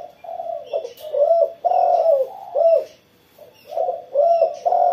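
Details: After being sunned in the morning, a spotted dove coos vigorously: repeated soft, hollow phrases of two or three rounded notes, broken by a short silence midway. Faint high chirps from other birds sit far behind.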